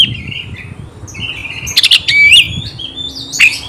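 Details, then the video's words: Oriental magpie-robin song aimed at provoking combat: softer sustained whistles at first, then louder sharp notes and bright slurred whistles, over a low background rumble. "Kacer gacor bongkar emosi dalam hitungan detik dijamin Kacer langsung tarung ngotot"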